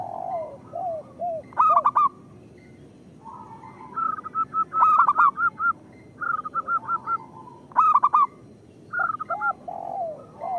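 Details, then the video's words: Local zebra dove song used as a lure for other zebra doves: soft low arched coos and short runs of quick repeated notes alternate with loud stuttering bursts of three or four notes roughly every three seconds. "Perkutut lokal gacor Suara Pancingan Paling Disukai Burung Perkutut"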